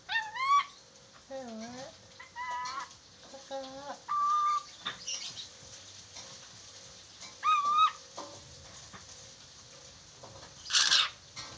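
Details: Chattering lory heard in a recording for teaching lories to speak: varied calls, some high rising squawks, others lower wavering whistles, ending in a harsh noisy burst, over a low steady hum.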